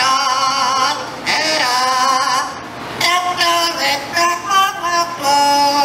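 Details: A Yellow-naped Amazon that has lived with people all its life and knows seven songs sings a human tune in a clear, voice-like warble, holding rising and falling notes in short phrases, with faint background noise.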